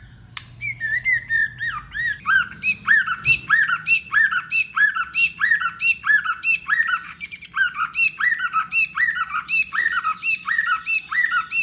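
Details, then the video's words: White-rumped shama, in a recording meant to provoke competitive singing: a strong, steady series of arched, slightly harsh notes with ringing overtones, repeated about every half second for most of the clip, over faint low background hum. "chòe lửa hót đấu"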